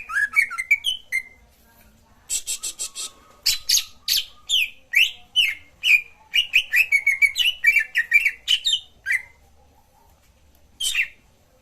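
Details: Cucak ijo (greater green leafbird) trigger song for a bird that has stopped singing: lively, varied phrase of twittering whistles, downslurred chirps and quick trills, pausing briefly before a final lone chirp.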